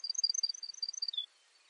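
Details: Baird's sparrow singing a fast, tinkling series of high notes that alternate in pitch, ending on a lower, longer note, then quiet.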